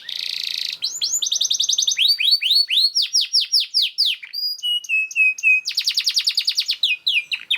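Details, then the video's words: Energetic canary master song for teaching other canaries, starting with a buzzy roll, then rapid trills and series of arching downslurred notes, short level whistles and a dense rattle. "KENARI GACOR SPEED RAPAT UNTUK MASTERAN KENARI ANDA"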